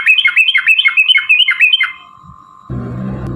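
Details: Yellow-vented bulbul pouring out a rapid bubbly fighting song, a lure to make other bulbuls sing, for nearly two seconds; then a steady hum and a burst of broad low noise.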